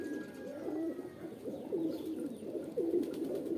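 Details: Pigeon mating call: low, throaty coos, each a rising-then-falling rolled phrase, repeated roughly once a second over a steady murmur of further cooing.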